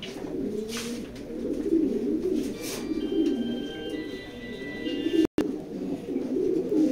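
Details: Racing pigeons cooing: low, rolling, throaty coos overlap through the stretch, rising and falling in soft waves, with faint fluttery noises and a brief dropout near the end.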